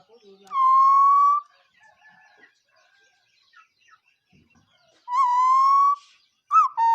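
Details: A bird gives two long, loud whistled notes that rise slightly and carry bright overtones. Each lasts almost a second and is separated by a pause. A short rising note follows, and faint softer calls are heard in between.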